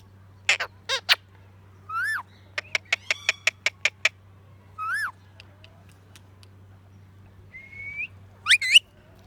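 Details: Pet talking parrot chirping: loud rising whistled notes and a quick burst of about eight sharp clicking chirps, then a drawn-out rising whistle and a final pair of shrill squeaks, in a quiet room with low hum.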